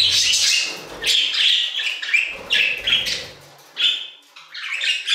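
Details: Budgerigars singing in an aviary: a string of short chirps and warbled notes, some rising, others buzzy, coming in bursts about a second apart with brief pauses between.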